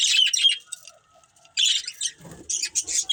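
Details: Budgerigar breeding pair: short bursts of buzzy, high chirping separated by a near-silent gap, then a low rustle and more chirps.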